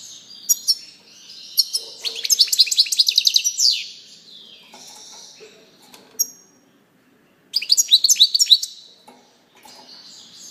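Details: European goldfinch with scattered high chirps leading into an energetic burst of quick twittering. After a quieter pause with a lone note, a second bright jingling phrase follows.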